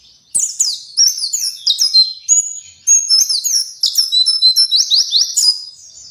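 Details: Native white-eye from Kuningan in West Java giving a lively, high-pitched song of quick slurred chirps and short rising and falling whistles, delivered in dense bursts with brief gaps between them.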